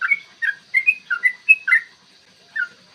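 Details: Yellow-vented bulbul singing a long 'ropel' song, used to provoke birds into singing and fighting: short liquid whistled notes between about one and three kilohertz, rapidly alternating up and down, in a quick burst with a brief pause.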